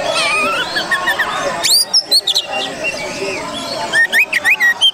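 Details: Indonesian Oriental magpie-robin song for luring other birds: a blurred, busy opening with overlapping sounds, then sharp high whistles and a closing series of rapid rising whistled notes.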